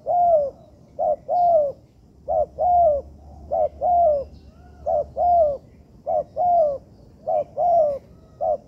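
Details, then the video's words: Spotted dove (tekukur) call recorded as training material in an artificial yard. Repeated low mellow coos, short rising notes followed by longer falling ones, in quick succession throughout, with a faint low hum underneath. "Melatih Bahan Ajaran Tekukur di Laman Buatan"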